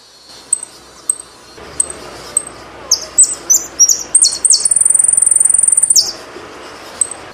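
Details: Saffron finch song: scattered high chips build into rapid, sharply descending notes, then a long, fast buzzy trill held at a high pitch for over a second before ending in a few single chips.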